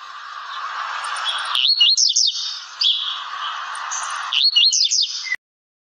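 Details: Blue-black grassquit song, one of several song types: two bursts of rapid zigzag slurred whistles about two and a half seconds apart, over steady hissing background noise and a lower humming band.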